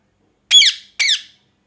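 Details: A parrot gives two harsh, hoarse screeches separated by a short gap, each starting loud and sliding downward in pitch, with nothing else audible.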